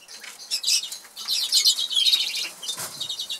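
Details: Caged Norwich canaries, two birds in an aviary in England, singing while eating: bursts of high, rapid trills and twittering phrases broken by short pauses, with soft rustling.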